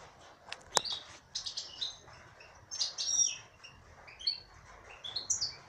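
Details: A female European goldfinch gives tinkling twittered phrases, starting with a couple of sharp clicks, then rising whistles and buzzy chirps in loose bursts.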